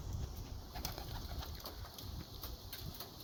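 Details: Young white racing pigeon (homer) of Greekgod bloodline, curious and wanting to get into the breeding loft, gives soft low cooing murmurs in short rhythmic pulses, quiet against faint room hiss.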